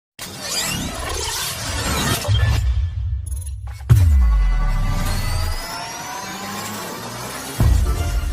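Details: Loud electronic music with whooshing sweeps and deep bass drops, and no animal sound heard.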